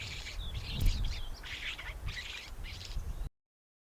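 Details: Cape Sugarbird calling: harsh, scratchy, buzzy bursts of chatter come in a quick series of about five phrases over three seconds, with a steady low rumble of wind or distant noise underneath.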